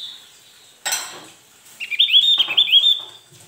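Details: Male Javan heleia (Javan grey-throated white-eye), used as a lure to provoke rivals into answering, gives a rapid, high, thin twittering warble lasting about a second, preceded by a sharp metallic clatter like a cage or dish.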